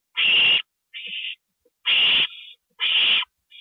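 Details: Owl at night, April 27, 2012, 2:05 AM, amid a gopher delivery; three broad, hissing screeches roughly a second apart, each followed by a quieter, narrower raspy note.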